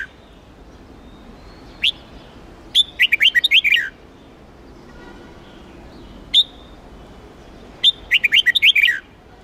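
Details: Red-whiskered bulbul from Huế, trained for song contests: short sharp single notes introduce two lively warbled phrases of rapid, undulating whistles, each about a second long.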